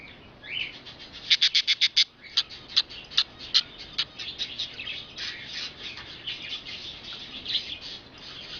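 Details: Pet budgerigar (budgie or parakeet), dated September 20, 2010, giving a quick run of short, high, sharp chirps in a burst near the start, followed by scattered chirps and softer chattering warble.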